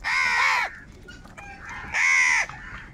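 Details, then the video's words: Two long, rasping crow caws, each over half a second and harshly buzzy, separated by quieter distant cawing, from crows fighting for food. "Different kauwa ki awaz - Angry kauwa ki awaaz | Crow bird unity anger and sound for food"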